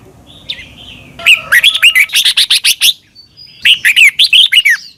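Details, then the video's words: Red-whiskered bulbul from Thailand, a recording played to train caged birds to sing. A soft warbled lead-in, then a loud run of about nine quick, rolling whistled notes, a brief pause, and a second run of similar bright notes. "นกกรงหัวจุก. นก - 30 นาทีทุกเช้า เพื่อให้นกเรียนรู้ที่จะพูดได้อย่างรวดเร็วและหนักแน่น"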